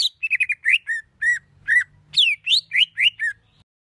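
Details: Master song in the rough 'tembakan kasar' style for competition songbirds: quick run of clear whistled chirps, some rising and some falling, about two per second, with a faint low rumble.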